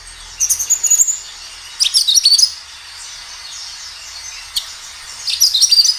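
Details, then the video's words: Kinoi song used to stimulate young birds to answer: three short bursts of high whistled, slurred notes and chirps, with quiet gaps between them. "Suara kinoi gacor"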